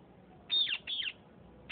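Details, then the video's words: Two parrots of the Sindhi kind fighting: a pair of loud, grating screeches, each sliding down in pitch, close together, then a short gap and the start of another shrill cry. "Sindhi Speaking parrots.fighting"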